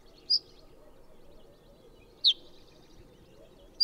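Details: Ortolan bunting daytime calls played back, alternating between different call types, a key feature for identifying the species in nocturnal migration: three short, sharp, high call notes spaced about two seconds apart, each differing in shape, over quiet background.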